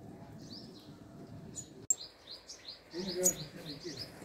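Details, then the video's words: Sunbirds at a hanging nest where they feed and guard their babies give a run of short, high, falling chirps repeated in a loose series, with a brief click and faint background noise. "Sunbird Sound - How Does Sunbird Calls Sounds"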